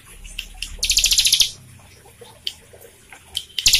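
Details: A Bar-winged Prinia, a prolific singer used as a stimulus for birds that have stopped singing, gives a fast burst of very high, sharp chirps, about ten in half a second, then a brief second burst.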